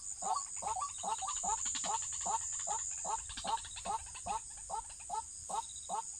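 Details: Rhythmic waterhen calls recorded while trapping the bird: low knocking clucks repeated about two and a half times per second, evenly paced, with a continuous shrill hum above them.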